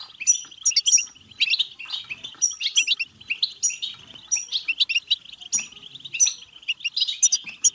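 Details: European goldfinch giving batbata song to encourage singing and mating; steady, energetic twitter of high tinkling notes, punctuated by recurring bursts of sharp whistled phrases every second or so.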